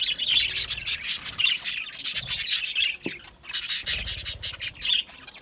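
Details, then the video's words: Budgerigars, Australian parrots in an aviary, giving harsh, scratchy chirps and squawks in quick bursts, with a short break midway. "Budgie chirping sounds"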